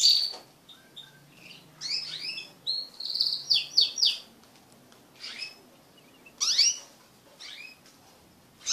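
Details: Mating crested canaries in a collective pairing of pet birds, with scattered high notes, swept chirps and a short trill separated by quiet gaps, all sharp and high-pitched.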